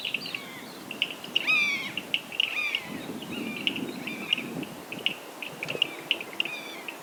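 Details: A Common (Steppe) Buzzard in Africa gives a drawn-out, downslurred mewing cry among short, high repeated notes, possibly from other birds, over a faint low rumble.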